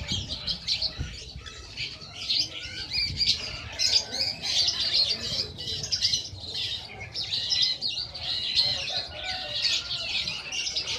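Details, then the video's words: Champion sunbird, called 'kolibri ninja', giving a sweet, clear, loud song used as master tutoring: continuous high chattering twitter of thin, squeaky notes in bursts, with faint low background rumble. "Kicauan Burung Kolibri Juara Nasional"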